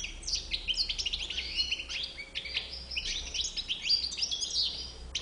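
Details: Goldfinch with a white bib ('bouc blanc') gives rapid, continuous twittering song: bright high chips, quick trills and short rising slurs tumbling together without pause, with a soft low background hum.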